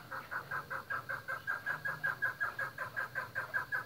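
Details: Chukar partridges kept on a breeding farm, calling in a rapid, even string of clipped chuck notes repeated roughly every third of a second, over a faint low hum.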